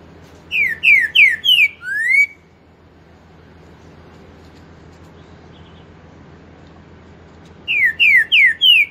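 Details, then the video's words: A captive Pantanal-type green-winged saltator sings loud, clear whistled phrases: four rising notes, then a longer slurred one. The phrase repeats after a pause of several seconds. "TRINCA FERRO pantaneiro 4 nota boi um CANTASSO"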